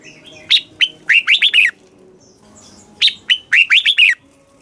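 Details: Caged red-whiskered bulbul song from Thailand, southern master style, used to excite caged birds and tutor young ones: two bright phrases of whistled slurred notes, each opening with a sharp upward note and ending in quick descending warbles.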